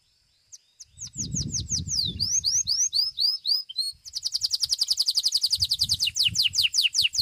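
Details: Belgian domestic canary in a singing competition, seventh edition, delivering loud high sweeping notes in quick series, then a long, fast rolling trill of rapid repeated notes; low thumps in the background.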